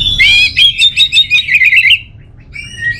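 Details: Orange-headed thrush, kept as a songbird in North Bali, Singaraja, singing a rapid run of clear whistled and chirping notes around the same pitch, repeated quickly for two seconds, then a softer pause and a few thin notes.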